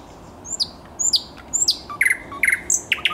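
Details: Song of a thrush nightingale on 10 May 2021, high descending whistled slurs repeated about once a second, then loud knocking chock notes in pairs and a few sharp upswept notes.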